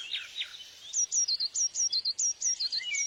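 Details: Wild bird repeating short, sharp, high notes in quick pairs, forming a steady ticking series after a few softer lower chirps at the start.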